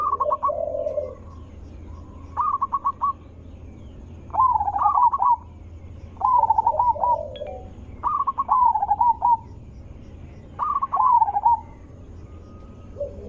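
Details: Loud, melodious zebra dove call used to draw other zebra doves into answering. Staccato note bursts and rolling trilled coos repeat about every two seconds, six phrases in all, over a steady low hum.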